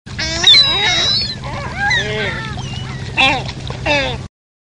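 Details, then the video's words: A ring-billed gull gives harsh, nasal mewing calls in quick bursts, some rising and falling, over a steady low hum. "Ring Billed Gull"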